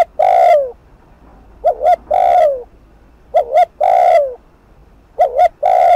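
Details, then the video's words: A spotted dove gives a fast, urgent coo used to provoke rival males: two quick low notes, then a longer, falling coo, repeated three times about every two seconds. "Cu gáy Thúc Gù TỐC ĐỘ kích bổi/kích mồi nổi điên gáy ngay"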